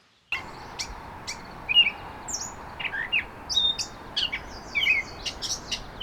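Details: A gray catbird sings its mimic song, weaving snippets stolen from other birds' songs into a rambling run of short, squeaky, chattering phrases, each different. The phrases come jumbled at a quick pace with brief gaps, over a soft hiss.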